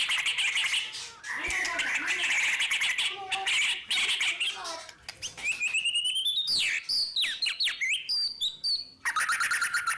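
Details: White-rumped shama delivering long continuous song meant to stimulate other birds: harsh, noisy chattering first, then bright, quick whistled upslurs and sharp chipping notes in rapid bursts.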